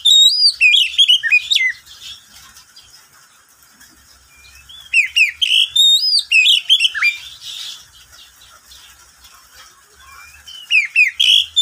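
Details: Oriental magpie-robin, a household pet, singing around midday; energetic bursts of varied whistles, slurs and high chirps, with a soft low hum in the background between phrases.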